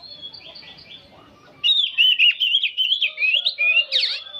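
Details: Old oriental magpie-robin chattering nonstop: after a faint, muffled opening, a loud run of sharp, whistled warbling notes, rapidly rising and falling, with a bright downward-swooping flourish near the end.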